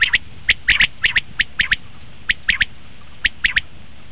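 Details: Common quail calling, a sound played to lure quail for hunting: clipped, bright notes grouped in twos and threes, with brief pauses between bursts.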